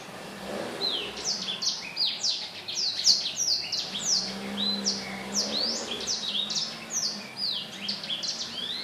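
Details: Black-throated laughingthrush singing energetically, recorded 15 December 2016: continuous stream of loud, varied whistled notes, many swooping up or down, phrases overlapping without pause, over a steady low hum.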